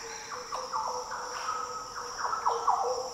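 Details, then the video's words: Green Oriole in Daintree coastal rainforest, Australia, giving a rapid run of liquid, fluty notes with sliding downstrokes, nearly continuous through the phrase; shrill insects hum constantly in the background. "Green Oriole Sounds - The deep, liquid calls & song of Green Orioles in the Daintree rainforest."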